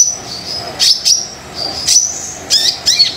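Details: Brown-throated sunbird song, used to prompt quiet sunbirds: thin, high chirps and short trills in separate bursts, with a steady faint high tone between.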